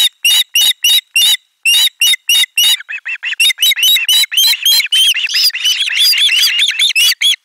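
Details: Loud screaming chorus of ospreys welcoming a fish at a Finnish nest, July 2022; spaced sharp whistled squeals at first, then quickening into a dense, rising, overlapping clamour.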